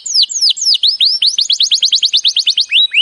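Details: Canary training song: a few downward-swept whistled notes, then a fast run of steep descending sweeps at about eight per second, closing with rising slurred whistles.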